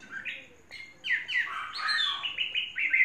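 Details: Chinese hwamei singing, a caged bird kept for three seasons: a quiet phrase, then a loud burst of rapid, rolling whistled notes sliding up and down, the phrases crowding closely together.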